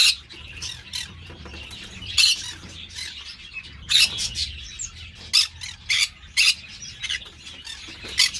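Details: Green-cheeked parakeets in a breeder's aviary: frequent short, harsh squawks at uneven intervals through eight seconds, with scratchy chatter between them.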